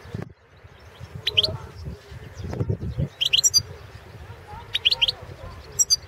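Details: Goldfinch of subspecies Carduelis carduelis balcanica in a 2016 internet World Championship song contest from Serbia, giving several short clusters of high, quick chirping notes separated by pauses, with faint low background rumble.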